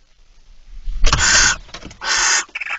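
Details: Barn owl recorded on 9 September 2019 at 02:18 at night: after a low rumble, two harsh, hissing, broadband screeches of about half a second each, the second followed by a shorter raspy burst.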